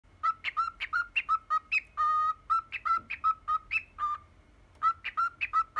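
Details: Pet cockatiel, ten years old, whistling the tune 'Poppippo': clear whistled notes in quick, uneven series, alternating low and higher pitches, with one long steady held note midway and a short pause before the phrase resumes.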